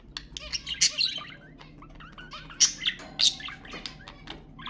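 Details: Budgerigar sounds used to prompt breeding: quick scratchy chirps and squeaky notes, with several sharp high squawks standing out, then softer chattering.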